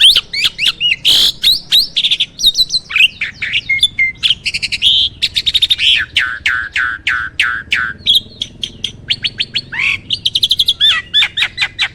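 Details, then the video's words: Starling from a bird farm in lively 'gacor full isian' song: nearly twelve seconds of nonstop chattering phrases, rising and falling whistles, dense clicks and a few lower downward swoops, with no pauses. "Burung jalak gacor full isian!"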